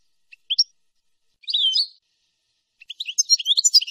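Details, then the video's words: European goldfinch singing on a teaching recording of nahrat and taqasim for young birds: a few sharp chirps, a short buzzy twitter, then a rapid, dense run of high tinkling notes. Background is silent. "شريط لغة حسون نهرات وتقاسيم"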